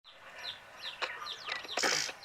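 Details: Many sleepy baby chicks peeping together: rapid, high, downward-sliding chirps overlapping in a busy chorus, with a few sharp clicks and rustling bursts.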